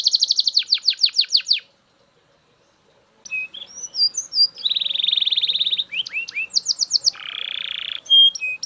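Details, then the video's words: Belgian canary bursts into loud song with a rapid series of falling notes, goes quiet for over a second, then resumes with chirps, a buzzy trill and a rasping roll. "Super Loud Belgian Canary Singing"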